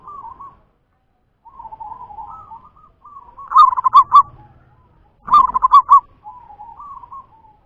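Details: Local zebra dove singing: soft, low cooing phrases that build into two loud bursts of rapid, pulsed, bubbling coos, each burst about a second long, separated by quieter murmured notes and brief pauses.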